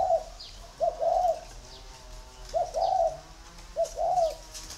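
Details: Spotted dove from northern Vietnam giving soft, paired coos in three phrases, each a short note followed by a longer rounded one. Faint chirps from other birds and low background hum are also heard.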